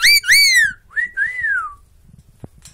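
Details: Pet bird, a loud talker kept indoors, gives two strong ringing whistles followed by two smooth, falling slurred whistles, then quiet with a faint click; a man's voice says "good boy" around it.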